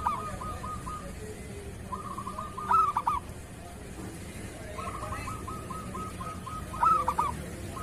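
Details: Zebra dove, local type, singing kerot to train other doves: two long even trills of dotted coos, each ending in a sharp, loud cluster of choppy notes about four seconds apart.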